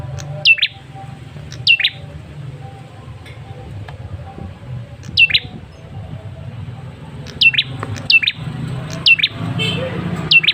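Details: Ashy tailorbird male, lure sound for getting other birds to respond: scattered sharp falling chirps in loose groups, closer together toward the end, against a constant low rumble.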